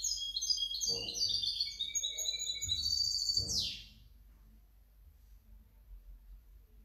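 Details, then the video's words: A hybrid European goldfinch sings a busy, high twittering phrase with layered trills, closing in a harsh falling buzz near three and a half seconds, then quiet; a few low thumps sit beneath. "otro mi mixto de jilguero 2019 2020"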